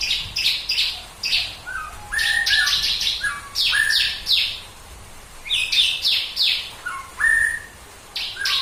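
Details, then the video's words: Bar-winged prinia's tembakan burst song, played to spur other birds to sing, continuous throughout: quick buzzy high strokes in short runs, interspersed with brief flat whistles lower in pitch, phrases separated by short pauses. "Tembakan Ciblek Kristal Buat Burung Lain Ikut Berkicau"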